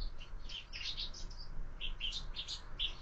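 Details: Sparrows chattering at a window feeder during breakfast, part of year-round feeding; quiet, quick tweets in two loose groups.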